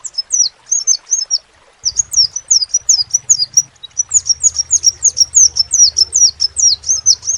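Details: Crimson sunbird singing actively: rapid runs of high, thin, downslurred notes, roughly four per second, with a short pause after the opening phrase and a steady low hum underneath.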